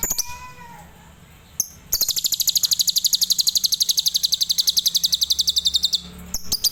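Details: Adult lovebird singing tembakan Cililin style: a few soft whistled notes and clicks, then a long, fast, even trill of shrill buzzy pulses lasting about four seconds before a final sharp chirp.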